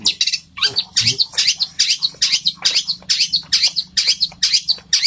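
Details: Long-tailed shrike delivering a speedy rolling song in the style of fighting sparrows: continuous harsh, high, scratchy notes repeated over two per second with strong unbroken energy throughout, and a low hum underneath.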